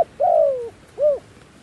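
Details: Decoy dove luring wild doves: one long, slightly descending coo followed by a shorter arched coo, clean against soft background noise.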